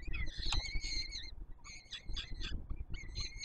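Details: Peregrine falcon chicks begging as an adult male feeds them at a nest on the Palace of Culture and Science, Warsaw, Poland, 7 July 2022; harsh, harmonic squealing calls in bursts over a steady low rumble.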